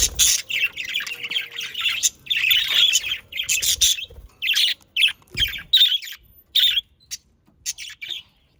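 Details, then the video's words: Budgerigars kept as pets in the Den Haag region, Netherlands, singing: long run of buzzy, rasping warble and chatter, dense at first, then breaking into shorter squeaky bursts separated by brief silences. "Sounds of Australian parakeets to stimulate your parakeets to sing"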